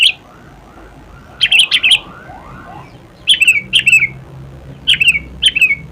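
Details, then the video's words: Sooty-headed bulbul singing its natural song: a brief whistle, then repeated bubbly phrases of three or four quick liquid notes, coming in pairs with gaps of about a second and a half. "KUTILANG KALIAN LANGSUNG BUNYI DENGAR SUARA INI/SUARA ASLI KUTILANG"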